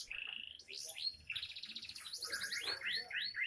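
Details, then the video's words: Young canary in full song: a steady high whistle, then fast repeated rising chirps and trilled phrases, about four notes per second, bright and continuous. "Burung canary isian bukan main masih muda mental juara"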